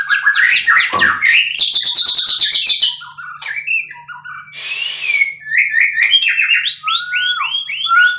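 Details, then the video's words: Captive-bred white-rumped shama pouring out a rich, varied song of rolling whistles and fast trills, interrupted once by a short harsh hissing burst. "muray batu suara mantap"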